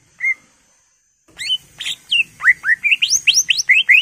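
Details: One clear whistled note from a greater green leafbird (cucak ijo), a pause, then an accelerating series of rising, looping whistles delivered in quick succession, typical of its full-isian song.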